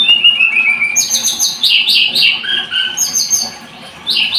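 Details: High, lively Scarlet-headed flowerpecker song of descending whistles, buzzy trills and chattering notes, repeated in close succession.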